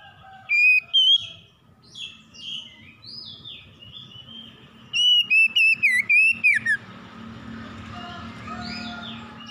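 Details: A stressed magpie-robin sings a morning phrase: two opening whistles, then a fast string of bright, slurred whistled notes, over steady background hiss and hum with softer distant chirps.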